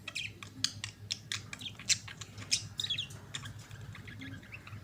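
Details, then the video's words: Pair of budgerigars kissing, giving rapid clicking, scratchy chirps and short squawks in quick bursts, with a low hum running underneath. "Budgies longest KISS RECORD!"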